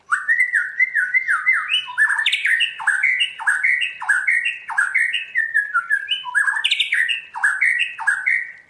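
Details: Caged white-rumped shama being trained to sing in the 'giọng rừng' (forest voice) style: loud, rich whistled phrases repeated roughly every half second, each sliding up then dropping sharply, with bright overtones and slight variation between phrases.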